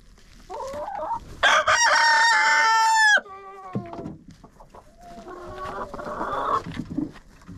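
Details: In a chicken coop with a GoPro inside, a rooster gives a loud sustained crow that falls away at the end, after a few wavering clucks; softer hen clucks and a drawn-out squawk follow.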